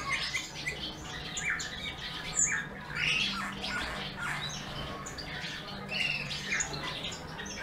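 Eurasian bullfinch giving a quiet, creaky warble of scratchy squeaks and a few thin piping whistles, over steady crackling and rustling and a faint low hum.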